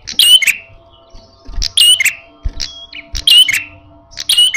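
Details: Red-headed prenjak giving its loud, aggressive fighting call: high piercing chirp clusters repeated every second, with faint low background noises.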